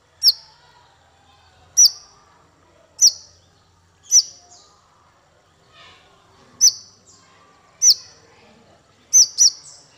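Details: Male Van Hasselt's sunbird (konin) used for training songbirds: single sharp, high, descending chirps repeated roughly every second or so, with quiet background between them.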